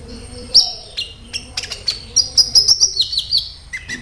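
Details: Kolibri ninja, a sunbird, singing loudly: thin high whistles and rapid chattering trills, a fast run of sharp notes in the middle, closing with lower slurred phrases; faint lower chirping in the background.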